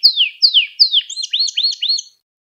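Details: Canary song, recorded for training young canaries to sing: three clear whistles sweeping sharply downward, then a quick run of short rising chirped notes, all over in about two seconds with nothing else audible.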